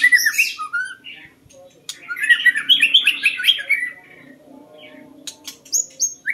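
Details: White-rumped shama song used to lure birds: rich, varied whistles and a fast, bubbling run of warbled notes, broken by short pauses and sharp clicks.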